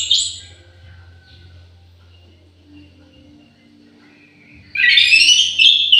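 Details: An orange-headed thrush in an aviary gives a short whistled note, then near-silence, then a loud rush of varied, twittering whistled song over the final second.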